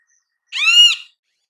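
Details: Great kiskadee in natural habitat giving a single harsh, nasal, buzzy note about half a second long, slightly arched and rich in overtones, against a silent background.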